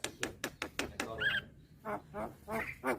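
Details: Young white-eyed Javan myna calling eagerly while nodding, used to lure hybrid mynas. Several short nasal, quacking notes come in quick succession, followed by a brief rising whistled note and more throaty croaks.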